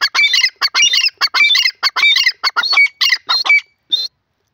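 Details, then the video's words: Male grey francolin, locally called bhura teetar, calling loudly in a rapid series of harsh, grating, rattling phrases, roughly a dozen bursts packed into four seconds, ending with one short isolated note; no other sounds stand out. "grey francolin teetar sound,bhura teetar sound"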